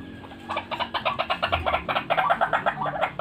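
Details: White-breasted waterhen calling as a lure for trapping birds: a fast run of harsh, croaking notes, about three per second, rising and falling in loudness, with faint low background noise.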